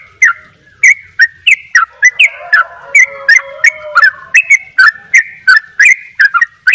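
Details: Sooty-headed bulbul (trucuk bali) singing gacor double 'ropel': rapid clipped chirps, alternately up- and down-slurred, with softer lower warbling layered in the middle stretch.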